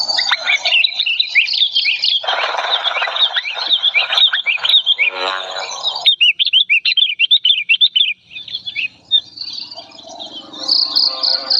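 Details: Agitated old sooty-headed bulbul, calling loudly and clearly: busy, scratchy chatter with a dense burst in the middle, then a quick string of crisp, evenly pitched notes, about two per second, trailing off into softer background.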